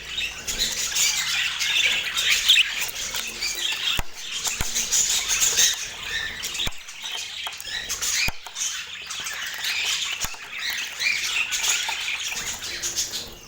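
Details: A flock of hobby budgerigars chatters steadily with high warbles and squawks, joined by wing flutters, pattering and several sharp clicks or knocks.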